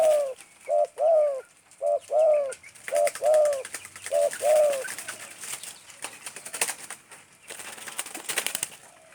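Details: Spotted dove calling in the stuttering "gagap" style, lively and vocal: low, mellow coos in short broken groups of two or three, repeated through the first five seconds, followed by rustling and clicking noises.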